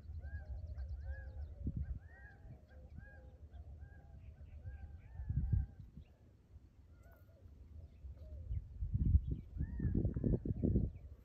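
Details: Gambel's quail in the desert in the early morning give repeated, arching, nasal notes from several birds in the background. Dove coos, low rumbling wind and bumps are also heard.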